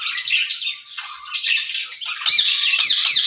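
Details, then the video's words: Two caged ringneck parrots talking to each other, heard as dense, harsh, raspy chatter with rapid repeated squawks, growing louder and more clipped near the end. "Speaking Parrots in Cage"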